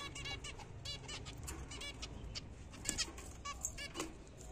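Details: Busy run of short, buzzy, nasal calls from pet zebra finches eating apple and seed in the morning, several birds calling in irregular quick succession over a background hum.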